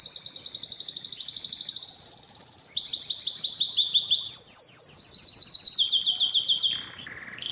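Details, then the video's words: Song of a domestic canary, used to prompt singing and breeding readiness: loud, rapid pulsed trills that step upward and change tempo every second or so, ending in a quieter tail after about seven seconds. "علاج صمت الكناري: أسمعه هذا المقطع وسيبدأ بالتغريد فوراً | Make Your Canary Sing"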